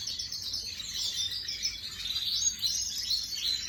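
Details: Ornamental canary, imported 2024, recorded on 18 May 2025, singing briefly in high, quick trills and twitters that rise and fall in a continuous run.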